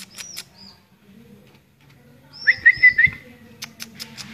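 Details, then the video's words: Greater green leafbird (cucak ijo) singing a quick series of three or four clear whistled notes, slightly rising and falling, preceded by thin high whistles, with soft clicks and rustling around it. "kicau CUCAK IJO"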